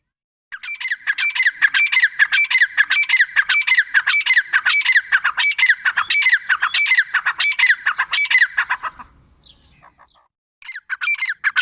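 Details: Grey francolin, teetar, calling nonstop for about nine seconds in loud, grating notes, quickly repeated, then a short pause before the calling starts again.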